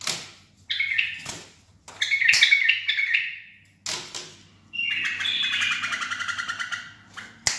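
A bulbul gives bright, chattering phrases in short bursts, ending in a fast run of repeated notes; faint low background hum.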